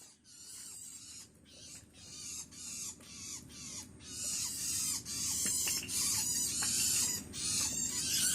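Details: Hungry Long-tailed Shrike chick calling for its parent: harsh, raspy, hissing calls repeated in quick bursts roughly twice a second, growing louder and more continuous toward the end.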